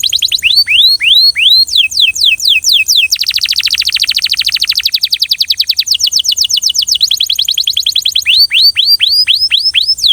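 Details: Belgian canary singing in varied rhythmic tours: repeated descending whistled sweeps, a dense buzzy rolling trill, then quick repeated chips and more clear down-slurred whistles.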